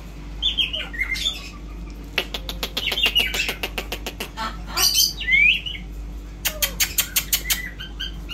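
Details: Indian ringneck parrot described as a remarkable talker: scratchy chatter at first, then long trains of rapid dry clicks broken by squawks and one bright rising whistle, over a faint constant hum.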